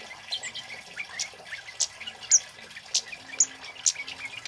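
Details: Male scarlet-headed flowerpecker, a caged songbird kept for training other birds, giving sharp, very high, thin chirps and ticks scattered every half second or so, a few louder notes standing out, over faint background hiss.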